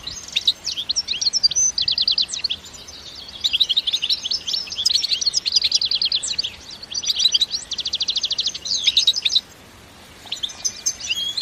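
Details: European goldfinch giving an enthusiastic btebta song, recorded in nature with no effects: long, rapid trills of buzzy, evenly repeated high notes in sustained phrases, broken by a brief silence before a final burst.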